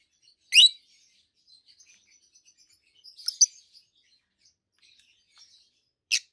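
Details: Two adult peach-faced lovebirds, green-bodied, one red-faced and one yellowish-white-faced, chirping: a sharp rasping chirp, scattered quiet twitters and a short double note, then another sharp chirp at the end.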